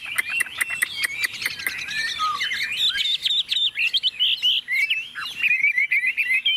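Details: Chinese hwamei, a tame bird set on a table, pours out a dense, rapid warble of twisting whistles after several crisp ticking notes at the start.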